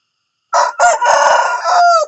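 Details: A rooster in the morning crows loudly: a brief first note, a short gap, then a long rasping phrase that ends on a clear, drawn-out falling tone, all in quiet surroundings.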